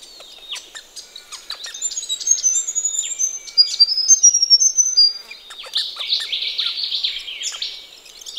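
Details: Ring-necked parrots washing in a pond on a cool sunny Australian morning; dense, busy high chirping and twittering that builds into a steady chatter, with some sharp clicks.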